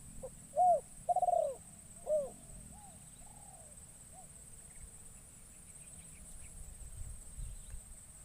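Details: Spotted dove used as a decoy to lure wild doves in the forest, calling a three-note coo at the start, short arched notes with a longer rolling middle note, followed by fainter notes and quiet rustling.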